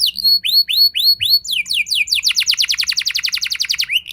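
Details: Canary rolling song used to trigger other canaries to sing. Curved, upslurred whistles repeat slowly, then speed into a rapid, pulsing trill of bright notes ending on a short rising whistle.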